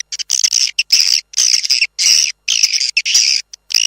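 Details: Lure call for attracting swiftlets, external version: harsh, buzzy, high-pitched chirping in longer bursts of about half a second, with brief gaps between them.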